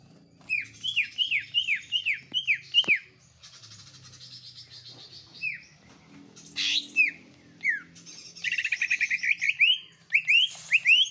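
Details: Caged greater green leafbird kept at home, singing intensely alongside common iora sounds: a run of six quick downslurred whistles, a pause with faint low hum, then loud buzzy chattering trills and sharp rising whistles.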